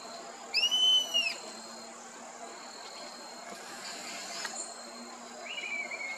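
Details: Rusty-margined flycatcher at a reservoir's edge in Parque Quineira, Chapada dos Guimarães, Mato Grosso, Brazil: one arched, whining whistle rising then falling, followed by quiet ambient hum and a faint later note.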